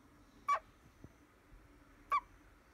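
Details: A chatty spotted owlet, called "he", gives two short, harsh, screechy notes about a second and a half apart, with only a faint low hum between them.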